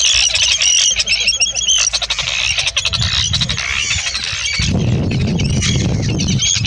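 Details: Harsh, grating high calls of Arctic terns, recorded in the UK in July 2016, many voices overlapping throughout, with strong low wind buffeting increasing in the second half.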